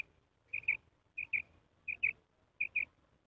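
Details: Female common quail calling at night: clear, high double notes, each pair quick and whistled, repeated about every 0.7 seconds four times, over a quiet background.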